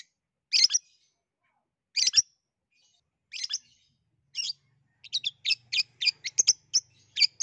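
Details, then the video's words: Long-tailed shrike singing in a lively, chattering style, used to prompt a reluctant shrike to sing: four harsh, scratchy bursts about one and a half seconds apart, then a quicker run of sharp chirps and whistles. "SUARA CENDET UNIK GACOR COCOK BUAT PANCINGAN CENDET MALAS BUNYI"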